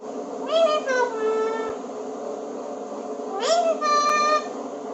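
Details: A rescued ringneck parrot speaks two short, nasal, speech-like phrases (Hindi "papa", "mere papa", "mummy") about three seconds apart, each rising then falling in pitch, over a steady background hum.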